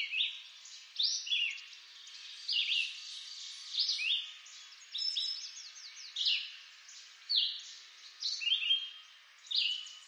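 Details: Woodland recording from eastern North America of a red-eyed vireo repeating terse whistled phrases, about nine in ten seconds, each a quick slurred note group with short gaps, soft hiss underneath.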